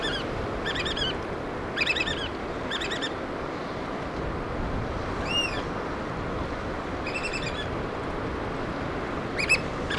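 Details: Black oystercatchers feeding their chicks on the Pacific Northwest coast of Washington give sharp, ringing piping whistles in short bursts every second or two, over a steady roar of surf.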